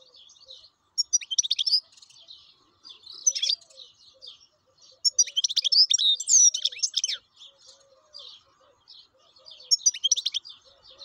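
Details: Wild European goldfinch singing continuously: dense, rapid, tinkling and buzzy twitter phrases in several loud runs, with quieter chatter between.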